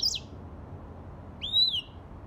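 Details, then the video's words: Short high chirp from a grey singing finch, then a pure whistled note rising and gently falling after about a second, against soft background hiss. "تغريد ياسمين رصاصي افريقي chanteur "d'Afrique"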